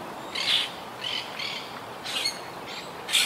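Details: Wild Quaker parakeets from a colony in tall trees, which lost about half its birds to hurricane Irma in 2017, give scattered short, raspy squawks, a few loud notes with gaps between.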